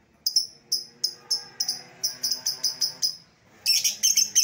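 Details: Lovebird lure call meant to draw back an escaped lovebird: steady series of shrill chirps, quickening toward the end, then a dense burst of rapid harsh chattering.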